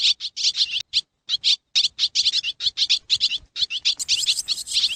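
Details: Swallows calling as they prepare to roost: bursts of high, bright twittering chirps, packed closely and repeated in quick clusters with short gaps between them.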